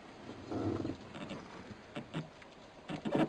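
A White-backed Night Heron gives low, harsh croaking bursts, about four in three seconds, over a steady background hiss.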